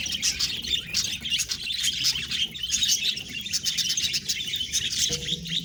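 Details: Pet budgerigars chatter continuously in a flurry of bright, high chirps and buzzy warbles, a short low tone appearing at the very end.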